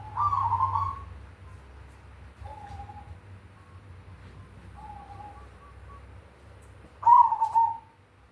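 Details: Zebra dove, cemani variety, with big 'kung' song. A loud trilled coo opens, two short soft coos follow after a pause, and another strong trilled phrase closes. A low hum runs underneath.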